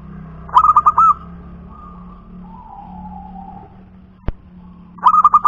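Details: Punden zebra dove of local wild stock giving two loud phrases of quick, stuttering whistled coos, each ending in a held note, with soft low cooing between them and a single sharp click.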